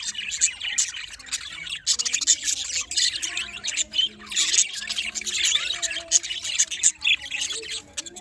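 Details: Several budgerigars chattering in the morning in Larkana, Sindh, a steady wash of scratchy, squawky chirps and quick warbled notes, briefly dipping quieter just before the second second, then resuming.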